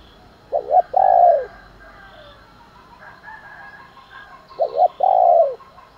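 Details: Spotted dove cooing to provoke fighting and calling in the morning: two phrases about four seconds apart, each a quick pair of short coos followed by one long, drawn-out coo that fades downward, over quiet background.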